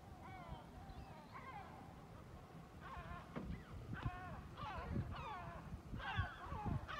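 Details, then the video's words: Great black-backed gulls in a group: repeated harsh, descending laughing calls from several birds, overlapping and growing louder, over strong low rumbling wind or surf noise. "Great Black-Backed Gull Party"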